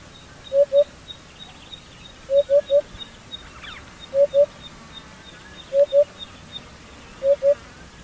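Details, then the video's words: Hoopoe, the Somali guuguule, found across all of Somalia: soft low hoo-hoo or hoo-hoo-hoo phrases repeated about every one and a half seconds, with a brief sharp high chirp and faint background ticking. "Guuguule | hoopoe | shimbirkii nabi sulaymaan"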